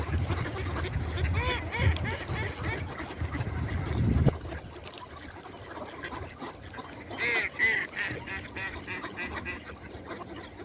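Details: Ducks at dawn: several harsh, nasal quacks in uneven bursts, thickest in the first seconds and again around the eighth second, over a steady low rumble that drops away midway.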